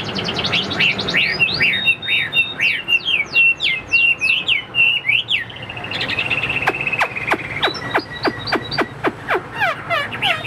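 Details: Caged Chinese hwamei, about 85% tame and not yet in full condition, sings rapid trills of repeated sharp notes, then a run of rising and falling whistled slurs, then loud separate whistles and clicks in a varied stream.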